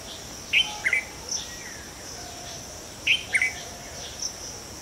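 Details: A red-vented bulbul perched on a tree branch gives short, bright, chirpy double notes, repeated about every two and a half seconds, over a steady high insect hiss.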